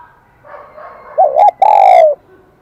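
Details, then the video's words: Wild-caught spotted dove singing in the high kim đồng voice: a soft murmur leads into two quick quavering notes and a sustained, ringing coo that gently descends. The background is quiet. "Tiếng chim cu gáy giọng KIM ĐỒNG"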